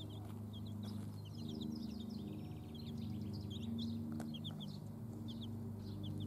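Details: A group of chicks with hens cheeps steadily, sharp high notes in quick runs over a steady low humming background.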